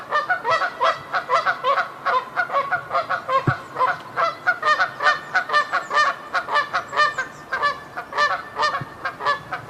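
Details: Canada geese calling in a dense, continuous chorus of harsh, nasal honks repeated several times a second over ten seconds, overlapping and resonant, suggesting a group, with a couple of brief low thumps in the background.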